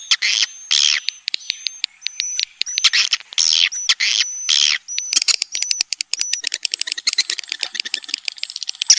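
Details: Swiftlet calling sound, piezo version: short buzzy chirps in bursts alternate with thin, steady high whistled tones, then give way to a fast train of dry clicks toward the end.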